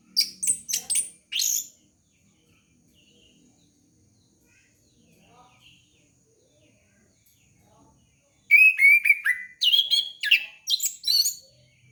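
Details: Orange-headed thrush song used to lure young kept birds: a burst of high, rapid chirped and whistled notes, then near-silence, then a second run of loud, varied, descending whistles and sharp chirps.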